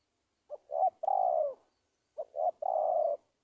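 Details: Spotted dove cooing as a lure for trapping wild doves: two matching phrases, each a brief note, a quick doubled note, and a long mellow coo, separated by a short silence.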